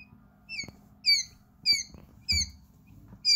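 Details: Quail chicks roughly five hours old exploring their brooder; bright high peeps sweeping downward, repeated unevenly about twice per second, with light tapping and a low hum beneath.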